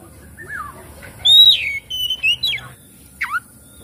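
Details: Oriental magpie-robin song used as a lure to get a quiet bird singing and spreading its tail; loud clear whistles with downslurred notes, separated by short pauses, then a final falling whistle.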